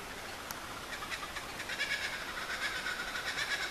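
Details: Kookaburras calling just before dawn in May 2012 at Mt Field National Park, Tasmania, under swamp gums near a river: harsh, rapid chuckling bursts building in loudness and pace into a raucous laughing chorus, faint background hiss.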